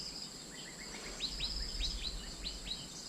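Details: Asian fairy-bluebird lure calls: a run of soft short whistles followed by louder, sharply downslurred notes about every third of a second. Steady high insect drone in the background.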